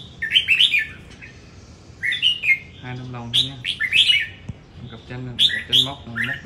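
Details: Competition-singing red-whiskered bulbul from Đồng Nai, Vietnam: clear whistled warbling phrases in irregular bursts, overlapped by men's voices talking in the background.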